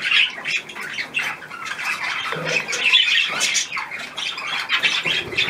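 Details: Pet budgerigars eating a leftover apple: loud scratchy squawks mixed with rapid warbled chatter from several birds, steady and overlapping throughout.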